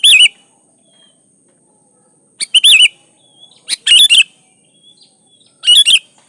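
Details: A sooty-headed bulbul in full gacor song, used as a lure to get other bulbuls singing. Four loud phrases of bubbly, slurred whistled notes, some wavering up and down, separated by pauses of one to two seconds; a faint high whine runs throughout.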